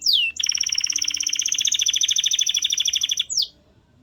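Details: Canary with a falling whistle, then a sustained rapid rolling trill lasting about three seconds, closed by another downward-sweeping note.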